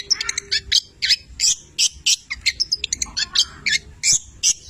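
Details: Vigorously singing Long-tailed shrike from Cililin, 'petir' style, mixing in labet and canary imitations: quick, piercing, high chirps and scratchy notes about three per second, with a few softer twittering fragments between.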